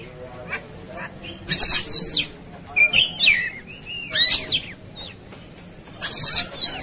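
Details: Agitated, fighting Oriental magpie-robin pouring out bursts of clear, slurred whistles and sharp metallic notes, separated by short pauses, with steady background hiss.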